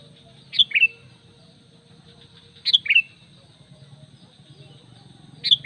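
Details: Sooty-headed bulbul calling to attract other bulbuls, three brief descending two-note whistles spaced widely apart, with a low background hum.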